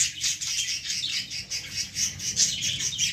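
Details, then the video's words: Baby lovebirds among plants, high chirping and squeaky calls in a continuous busy chatter with constant low background noise. "baby love birds in plant l cute birds in plant l love birds sounds"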